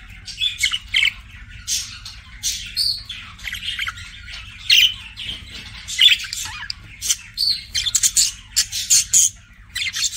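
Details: A budgerigar flirting chirps and squawks in rapid, scratchy bursts, dense clusters of harsh notes with brief pauses, close and loud over a low steady hum.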